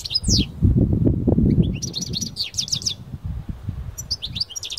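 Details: Outdoor song of a parva-type European goldfinch taken into nature. A sweeping high note, then bursts of quick liquid twittering over loud, gusty low-pitched wind noise.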